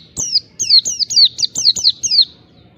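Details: Oriental white-eye in wild-style 'ngalas' song, seeking a rival. A quick run of about eight clear, high, down-slurred whistles comes evenly, roughly four per second.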